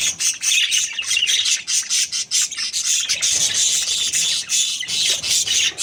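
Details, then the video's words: A happy breeding pair of budgerigars chirps steadily, a dense, bright chatter of scratchy high notes and buzzy squawks that runs almost without pause throughout. "Happy budgies chirping sounds | parakeet breeding pair"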